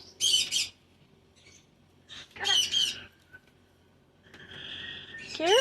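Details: Pet cockatoo waving and chatting with its owner indoors: two short harsh screeches, a pause, then a drawn-out whistled note ending in a rising squeal.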